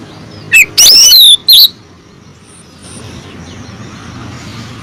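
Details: Female oriental magpie-robin calling the male: a short burst of three sharp whistled notes with a sweeping glide near the start, then only faint background hiss and distant chirps.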